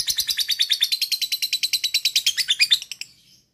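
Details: Lovebird ngekek chatter used as a lure: a steady rapid series of high, harsh notes, roughly eight a second, lasting about three seconds before fading out.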